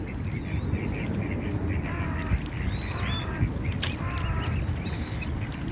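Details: Pond ducks guarding their young utter several rough, harmonic quacks scattered through the recording, partly masked by constant low-pitched water and engine-like rumble.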